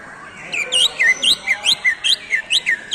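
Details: Greater green leafbird (cucak ijo) singing a fast, loud series of clear chirps. Down-slurred lower notes alternate with rising higher ones, about four to five notes per second and roughly a dozen in total.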